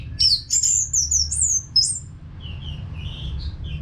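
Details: Orange-headed thrush from North Bali in non-stop song, used to get caged birds singing: a quick chain of very high, sliding whistles, then softer lower warbled notes fading out over a low hum.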